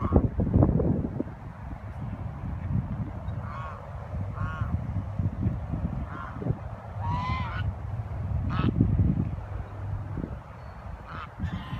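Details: A large gaggle of geese at a lagoon in Marin. Repeated nasal honks come in irregular bursts over a heavy low rumble that stays loud throughout.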